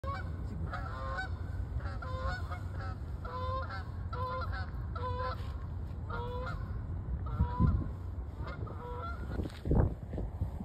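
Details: Geese flying away in winter, giving loud nasal honks in quick repeated bursts, several birds overlapping, over a steady low rumble of wind.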